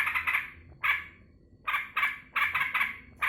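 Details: Pet yellow-vented bulbul welcoming its keeper back from work. Short harsh bubbly bursts come in groups of two or three, separated by brief gaps.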